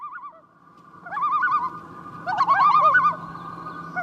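A common loon gives quavering, wavering calls that rise and fall rapidly in bursts, with a faint steady hum beneath.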